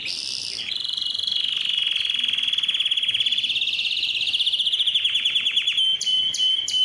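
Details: Singing yellow canary: a brief higher opening, then a long continuous fast trill that slowly rises, breaking into slower descending strokes and closing with short high bursts.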